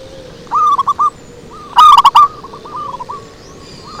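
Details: Zebra doves calling for a lure: soft clipped coos, then one loud quick ringing phrase, followed by gentler trailing notes from a more distant bird.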